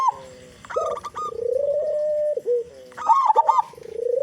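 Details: Local Indonesian zebra dove, a vocally active bird with a loud, big voice, played as a lure to get other doves singing quickly. Smooth, sustained cooing notes that bend and waver, broken by sharper, louder accented coos.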